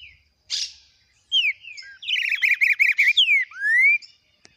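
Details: Green-winged saltator warming up in the 'Biro Biro' song style with a long 'boi': loud, clear whistled slurs, falling and rising, around a quick burst of five or six warbled notes. No other sounds.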